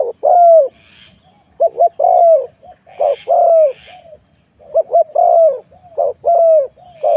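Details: Spotted dove serving as a decoy for wild doves, luring spot 41. Repeated low coo phrases, about one every one and a half seconds. Each is a pair of short notes and then a drawn-out coo that sinks slightly.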